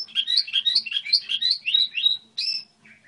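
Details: Song model of a goldfinch hybrid: a quick chain of rising chirped notes, several per second, ending in a drawn-out buzzy note and a soft trailing twitter, with a faint low hum.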